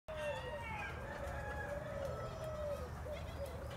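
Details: Rooster crowing at Isis Oasis Retreat Center, Geyserville, California, where a peacock is also displaying: a long, drawn-out crow holding a hoarse, wavering tone for over three seconds over a steady low background rumble.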